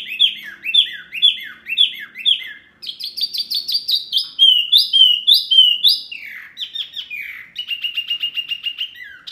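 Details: Loud mini wambi bird, known for provoking other birds, alternates rapid dropping chirps, bright whistled phrases, and a fast, steady trill of high notes.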